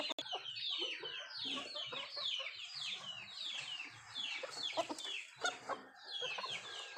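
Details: Native country chickens eating; a thick chorus of descending high chirps with intermittent low clucks and a clicking tap near the start.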